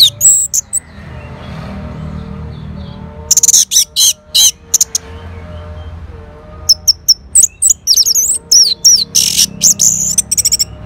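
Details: Orange-headed thrush from Singaraja, North Bali, singing in response to a lure sound: loud bursts of high, twisting whistled and scratchy notes in two clusters, separated by a quieter stretch with a low background hum.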